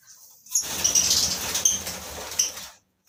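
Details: Colony-bred lovebirds chatter with high, piercing chirps over a rough, rustling noise that may be wing flapping, ending abruptly after about two seconds.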